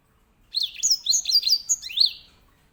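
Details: Grey singing finch, a small loud-voiced finch kept as a canary tutor, sings a clear phrase of high slurred whistles, each note sweeping down, lasting about one and a half seconds in quiet surroundings.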